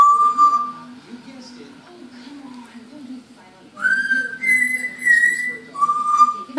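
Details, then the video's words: An 11-month-old pet African grey copies Rue's Mockingjay whistle from the Hunger Games. A lower sustained note opens, then a pause, then a clear four-note phrase stepping up, holding high, and dropping back down. A steady low hum runs throughout. "Baby African Grey whistles Hunger Games Mockingjay"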